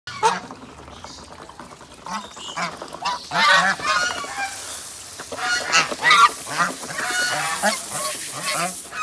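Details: Domestic geese calling while being fed: repeated nasal honks, at first scattered and then a dense overlapping chorus of several birds, with splashing and feeding noises around them.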